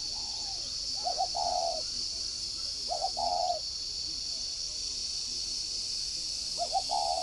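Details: Spotted dove decoy call in the 'giọng còi' style, from a dove breeding garden in Ba Vì, Hanoi, Vietnam: low, soft cooing phrases of two or three notes, repeated about every two seconds over a steady high hiss.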